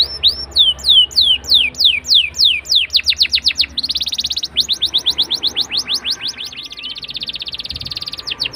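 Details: Canary song played to coax young canaries into singing: rolls of quick falling whistles leading into a fast, even trill of clipped notes, with a low steady hum throughout.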